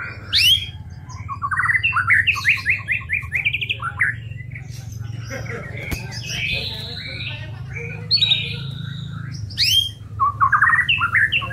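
A White-rumped Shama sings a rich, varied run of clear whistles, quick rising trills and harsh chattering notes, over a steady low hum.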